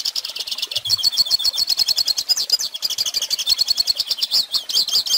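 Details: Singing Hooded Siskin, recorded as a tutor song for young birds: a long, rapid run of bright, high twitters and twanging trills, with very brief breaks between dense bursts of notes.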